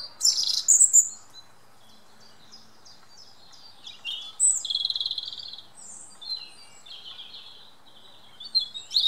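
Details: European robin in woodland singing a rich, varied song: a loud shrill opening flourish, a run of quick ticking notes, then sweet warbled phrases and trills broken by brief pauses.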